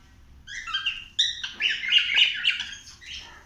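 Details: Pet cockatiel singing while exploring indoors: whistled notes sliding up and down, then a dense run of chattering, warbling syllables lasting about two seconds.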